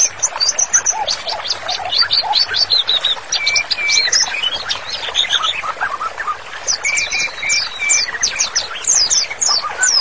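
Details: White-rumped shama singing as a training master: long, busy run of high chips, short trills and lower whistled notes, varied phrases following one another rapidly.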